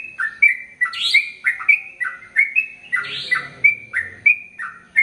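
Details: Sooty-headed bulbul in an extended song run for tutoring male and female birds: bright chirpy whistles, some sharper and buzzier, in a quick irregular stream, with a soft low rumble midway.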